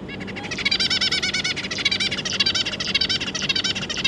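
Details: Adult zebra finch pair kept with three juvenile young, 25 July 2022, giving a continuous stream of rapid buzzy, nasal notes repeated almost twice a second, loud and unbroken for about four seconds.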